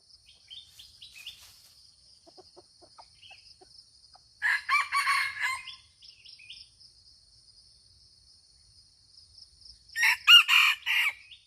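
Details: Two crows from a red junglefowl in Aceh, about six seconds apart. Each is a brief, raspy, choppy phrase in several pulses. Faint chirps of other birds and a constant shrill insect hum fill the gaps.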